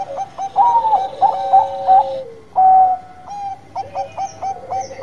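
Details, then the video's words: Zebra dove song of the Bangkok type, singing actively: quick clipped coo notes strung into a stuttering phrase, a long sliding whistle falling at its end, then a sustained clear coo and renewed rapid notes. "PERKUTUT BANGKOK GACOR"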